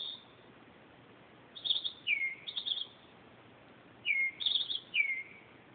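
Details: Night song of a northern mockingbird at 2:30 am, captured by phone: high trilled bursts alternate with slurred whistles that fall in pitch, delivered in two clustered runs with brief pauses between.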